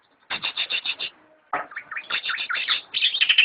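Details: From a friend's collection, a greater green leafbird opens with six evenly spaced high notes, pauses, then launches into a varied warble of swooping, slurred whistles growing brighter.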